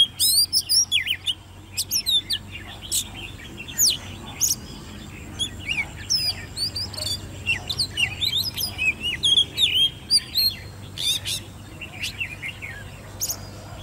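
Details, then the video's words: Competition song from a caged Oriental magpie-robin, hand-reared, ten months old: a long, unbroken stream of varied high whistles, sharp chips and quick slurred notes, densely packed with hardly a pause, over a low steady hum. "Chú Choè Than Nuôi Non 10 Tháng Lồng Mỏ ''SIÊU DỊ'' Hót Đấu"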